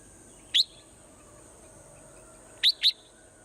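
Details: Swallow calling in the morning: one short sharp chirp, then after a two-second pause two more quick chirps in succession, over a steady high-pitched background whine.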